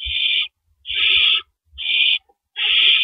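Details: Owls at a nest before dawn on April 4, 2012, around 4:31 AM, as adults bring in and carry out rabbits as prey. Harsh, breathy hissing bursts, each about half a second long, come four times at irregular spacing, with faint low thumps.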